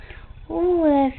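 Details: Male pet Quaker parrot, shy in front of the camera while teased with a toy monkey, giving one smooth, drawn-out voiced note that rises slightly and then slowly falls, over a quiet indoor background.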